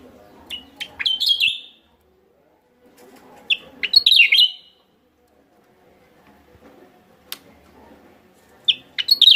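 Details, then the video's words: Javan myna lure calls from West Java: three harsh, squeaky bursts of grating and slurred notes, each about a second long, spaced several seconds apart with near silence between. "pikat burung maranti jawa barat"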